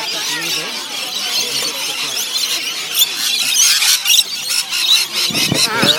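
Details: Lorikeets in a noisy flock being fed at Currumbin Wildlife Sanctuary: a constant wash of shrill, overlapping screeches and chatter, with a brief human voice near the end.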